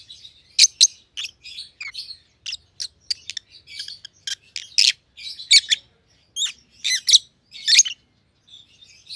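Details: Pet rosy-faced lovebirds, white-headed pallid opaline and white-headed green opaline siblings, keep up steady chatter of sharp, high chirps and short squeaky notes in irregular bursts.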